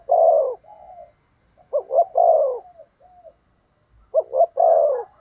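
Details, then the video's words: A spotted dove decoy for luring wild doves delivers thúc gù coos: a long, falling coo, soft trailing notes, then two more phrases of paired short notes and a drawn-out mellow coo. "Chim Cu Mồi/ cu gáy thúc gù cực đỉnh kích bổi dợt mồi hiệu quả"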